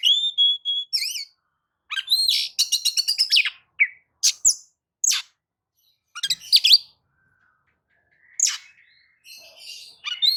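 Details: Oriental magpie-robin lure song meant to set other birds singing: sweet high whistles, then a fast run of sharp repeated chips, followed by scattered bright notes and short pauses.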